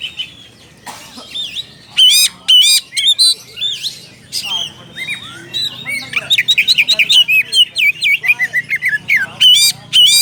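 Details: Oriental magpie-robin calling a rival, building from scattered whistled notes into a long, fast run of sharp chirps and slurred whistles repeated about twice per second.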